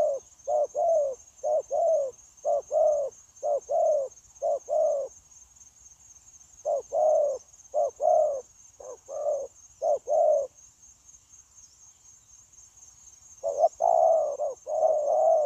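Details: Trapping-decoy spotted dove, wild-caught, recorded 9 January 2024 giving 'gù' coos: bursts of low paired notes at a brisk pace, a pause of a few seconds, then renewed cooing, all over a persistent high buzzing hum.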